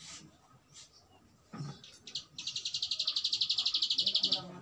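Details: Prenjak alang-alang, or bar-winged prinia, opens with a few scattered high chips, then launches into a steady two-second trill of rapid buzzy notes growing slightly louder toward the end.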